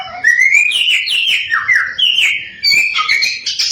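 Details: Samyong (Chinese hwamei) pouring out lure song to make rival samyong sing: a long rising whistle, then bright slurred notes dipping and climbing, ending in quick high twittering.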